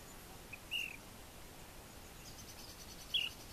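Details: An Ash-throated Flycatcher in Florida Canyon on 30 March 2015 gives two short, burry calls about two and a half seconds apart over a steady background hiss.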